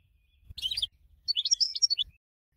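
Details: A prize-winning goldfinch recorded as a model for training other birds gives two short bursts of high, tinkling twitters separated by a pause. Faint low thumps sound beneath the first burst.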